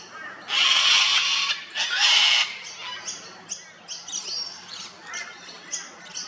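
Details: Sulphur-crested cockatoo, an Australian native parrot, feeding on honey at an old dead tree: two loud, harsh, broad rasping screeches, each about one second long, followed by faint scattered clicks and chirps.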